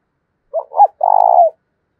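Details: Three-part coo from a decoy spotted dove goading a rival to fight, in the thổ đồng voice: two brief soft notes followed by one long, rolling, tremulous note that dips at the end, in a quiet setting.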